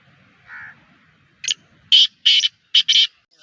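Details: Black francolin, a home-bred captive bird, calling: one soft nasal note, then a series of loud harsh rasping bursts, the last two close together.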